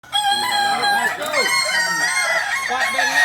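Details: Kukuak Balenggek chicken, a singing chicken native to Solok, crowing: a long, sustained, strongly harmonic crow with wavering pitch, overlaid by shorter arched calls from other fowl in the background.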